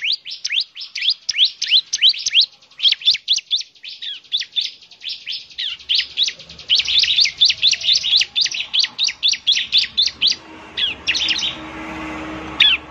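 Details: Bar-winged prinia in semi-active singing, used as a lure sound: a fast run of sharp, high, downslurred chirps, about four a second, continuing for some ten seconds before a pause and a few scattered final notes over faint background hiss.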